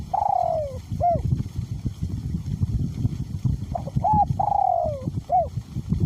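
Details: Spotted dove decoy bird with a small-to-middle voice, calling despite strong wind: two clear phrases, each a long descending coo followed by a short hooked note, with low wind roar throughout.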